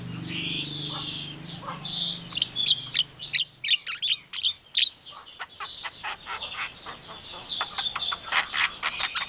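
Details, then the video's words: Javan myna mimicking a chicken calling chicks, an Asian pied starling and a hungry civet; scratchy whistles over a low hum, then many rapid, sharp clicking notes in irregular bursts. "Suara jalak kebo pintar meniru suara Memanggil anak Ayam, suara jalak suren, suara musang lagi lapar"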